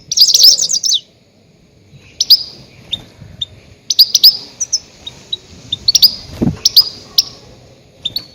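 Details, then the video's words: Goldfinch calls used as a lure to trap grey-headed goldfinches: a loud, bright twittering burst opens, then a pause, then quick high tinkling notes and short chirps come in clusters. "Громкие крики щегла для ловли и охоты на Седоголового щегла"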